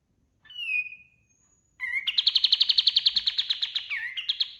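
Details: White-eye (kapas tembak) in full song, used as a master recording for training other birds: a short falling whistled note, a pause, then a fast, bright, even trill of about twenty notes ending in a brief twittered flourish.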